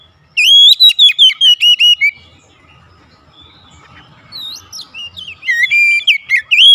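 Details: Home-kept Oriental magpie-robin in full song during daily therapy: a brief silence, then a loud series of about nine quick, clear whistled notes, a quiet pause, and a final run of rising and twisting whistles.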